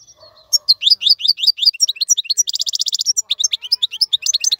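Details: Goldfinch song for teaching young birds to sing: quick bright chirps building into a rapid buzzy trill, then more varied high twittering, with a faint low hum at the start.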